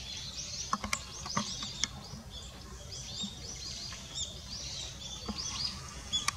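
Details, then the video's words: Goldcrest on 22 December 2017: faint, very high, thin seee notes repeated irregularly, mixed with scattered sharp clicks and ticks against a constant low rumble. "キクイタダキ？かも kikuitadaki"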